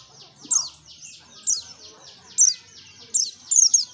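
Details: Pleci (white-eye) lure recording in ngalas style: five short, sharp high notes roughly once a second, standing out from a dense, hissing chorus of distant small birds.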